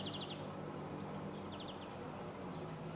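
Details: Two brief rapid runs of four or five sharp high notes from a male greenfinch at Sabunike, Croatia, 26 July 2014, set against a constant low droning background.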